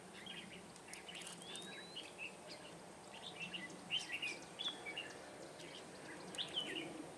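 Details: Red-whiskered bulbul recorded during bulbul trapping on 21 March 2017. Brief, scattered chirps and short warbled phrases, quiet at first, then clustered more densely after about four seconds over a steady hiss of outdoor background noise.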